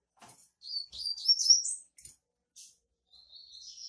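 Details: A female double-collared seedeater gives 'tui tui' calls while soliciting mating: a quick high rising-and-falling twittered phrase, a few isolated ticks, then a thin drawn-out whistled note.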